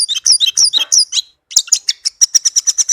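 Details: Tame, kept orange-headed thrush singing a sweet song, used to prompt silent birds to sing: rapid high, sharp varied notes in quick phrases, a short pause, then a fast even series of clipped high chirps.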